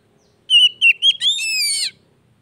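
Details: Oriental magpie-robin (kacer) song to coax a stalled bird back into singing; steady whistle, two brief dipping notes, then a sustained harsh, buzzy flourish.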